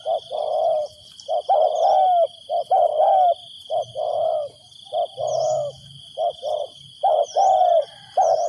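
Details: Spotted dove used as a decoy to call in wild doves, cooing almost continuously with short hollow notes and drawn-out falling croos, repeated phrases overlapping closely. A constant high drone runs underneath.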